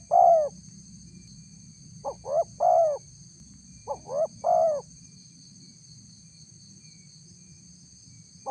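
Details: Spotted dove luring coos aimed at wild doves. One long note, then two full three-part phrases close together, followed by a long silence and a final clipped note. A faint constant high tone persists.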